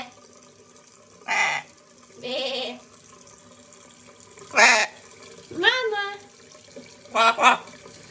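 A macaw talks in five short, raspy, speech-like bursts about a second apart, imitating words such as "mama" over a faint steady hiss.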